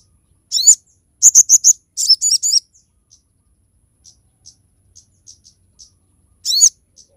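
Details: Crested jay in lively song, played as a model and lure for other birds: a descending shrill note, a fast volley of sharp chirps, soft scattered ticks between, then another bright downslurred call.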